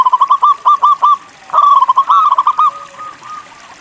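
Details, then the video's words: Singing local zebra dove meant to get other doves calling; a quick string of pulsed coos runs straight into a longer rolling phrase, trailing off into softer distant cooing. "MASTERAN PERKUTUT LOKAL GACOR UNTUK MACET BUNYI LANGSUNG NYAUT"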